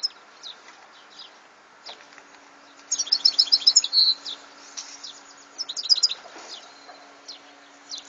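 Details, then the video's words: Quiet scattered chirps, then one loud burst of rapid, sparkling European goldfinch twittering ending in a buzzy note, followed by softer twitters. "Chant de chardonneret"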